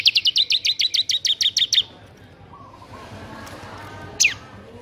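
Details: Bar-winged prinia in busy ngebren song, a quick train of about fourteen high, sharply hooked notes lasting under two seconds, then a quiet gap and one steep falling call.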